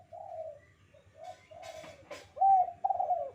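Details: Spotted dove calling in the lively kuk 2 manner used for training: drawn-out soft coos separated by short gaps, a couple of rustling knocks, and two louder, strongly accented coos at the end.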